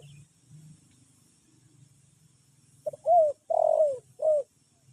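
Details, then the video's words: Spotted dove calling in the sleepy style: after a quiet stretch with low rumble, one phrase of four mellow coos, the third longest and gently falling. "SUARA TEKUKUR NGANTUK"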